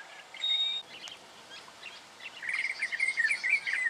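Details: Black honeyeater in Victoria, Australia, October 2011: a brief level high whistle, then scattered faint chips, followed by a loud scratchy chattering run of quick notes in the last second and a half.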